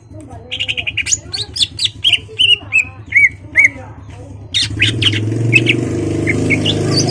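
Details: Greater green leafbird, caged, singing to provoke a rival into fighting: a rapid series of whistled and buzzy notes for several seconds, then louder rushing background noise with a few faint high notes.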